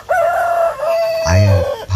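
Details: A free-ranged Korean native chicken, newly released from its coop onto grass it can forage freely, gives a long, drawn-out, steady-pitched crowing call that sags slightly at the end, with a man's low voice speaking over it.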